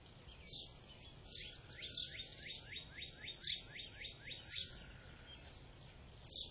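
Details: Grey catbird singing on 24 April 2025, a busy, jumbled stream of varied squeaky notes and slurred sweeps packed closely together, steady for several seconds, then a brief pause and one more note against faint rumble.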